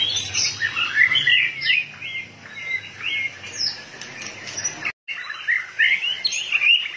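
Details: White-rumped shama in a heated, fired-up state, flicking its tail rapidly: a rich run of varied whistled phrases, rising and falling and quickly repeated, with one brief break near the end.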